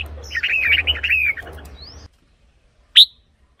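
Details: Red-whiskered bulbul, recorded to excite caged birds. A rolling, warbled phrase of linked notes over low hum is followed by a brief silence, then one sharp, clear upslurred chirp.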